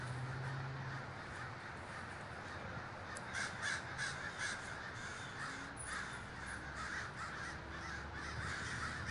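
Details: Huge communal gathering of crows in Davis, California: a dense, unbroken wash of overlapping harsh caws from many birds at once, with a low steady hum in the first second.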